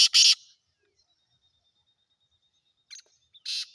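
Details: Caged black francolin of the Sindhi kala teetar type: a doubled loud rasping burst at the start, silence, then a short scratchy note and a final harsh grating note.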